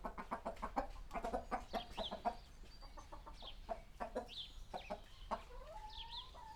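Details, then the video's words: Chickens in a small village coop, Sony PCM D100 with Sennheiser ME66 microphone: quick rhythmic clucks first, then sparser clucks, chirping small birds and a rising drawn-out squawk near the end. "small chicken coop sound effect"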